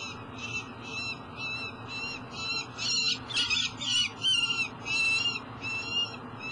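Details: Young peregrine falcon, one of two eyases, approaching a nest box and landing on the tower at Great River Energy, Elk River, Minnesota, 29 July 2012; harsh, rasping screeches repeated about once a second over a steady low hum.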